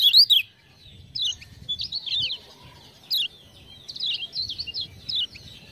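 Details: Clean, spaced phrases from a lemon-bellied white-eye tutor bird in Lombok, prompted by ciak-ciak sounds: short squeaky high chirp clusters every half second or so, then a denser trilled run near the end.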